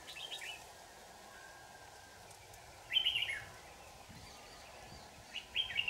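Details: Red-whiskered bulbul, a 'shrimp-back' trapping bird singing strongly on 4 January 2018. Three short, bright warbled bursts are spaced a few seconds apart, the middle one loudest, with a steady hum and faint rustling behind.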